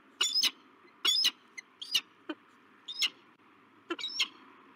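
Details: Pair of peregrine falcons on a nest cam at La Crescent, USA, in March 2023 as the male meets a new female; loud raspy chirping calls come in quick doubled bursts about once a second, with a constant background hum.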